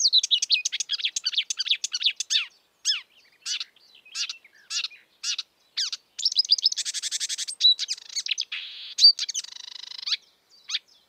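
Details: Wild marsh warbler, known locally as kerak basi, singing a fast, varied high-pitched medley of chirps, sweeping notes and buzzy trills, with short pauses between phrases.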